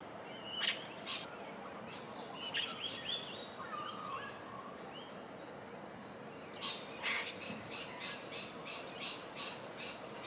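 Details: Crimson Rosella feeding on shrubs beside Gardiners Creek, Melbourne, Australia, 27 July 2023: scattered sharp chips, a brief cluster of whistled upslurred notes, then a steady run of about ten clipped chattering notes near the end.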